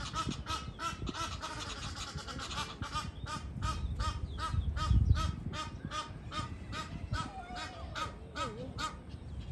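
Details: Wild geese in mating season, a flock giving rapid, repeated harsh honks several times per second, overlapping, with a few lower slurred calls near the end and low rumbling background noise.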